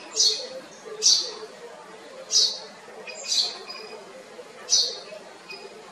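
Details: A house sparrow in Kotte, Western Province, Sri Lanka, gives about seven crisp, high chirps, each a brief bright burst, roughly one per second, over steady low hiss.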